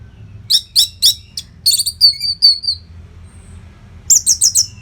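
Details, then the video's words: Orange-headed thrush giving a nonstop training song used to tutor competition birds: bursts of sharp, high chirps, then a string of thin whistled notes, then more quick trilled chirps after a short pause. "SUARA MASTERAN ANIS MERAH GACOR RAPET NO JEDA INI UNTUK MELATIH FIGTHER BURUNG AGAR SELALU FIT"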